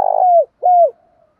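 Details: Two low coos of a Spotted dove from 'gáy thúc gáy gọi' song, the first long and level then falling, the second shorter with a downward slide and fading tail.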